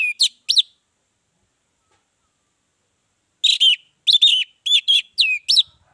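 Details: Orange-headed thrush giving lure song for provoking other birds: two quick whistled notes, a pause of nearly three seconds, then a phrase of six bright slurred whistles in rapid succession.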